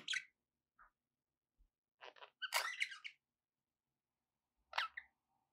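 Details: Pet budgerigars in a room make scattered short squeaks and a brief scratchy warble, quiet and broken by gaps, with faint low bumps.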